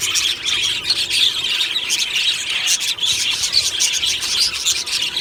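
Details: Morning chorus of many budgerigars in an aviary colony, happily singing and chirping; constant overlapping high chatter, squeals and twittering without pause.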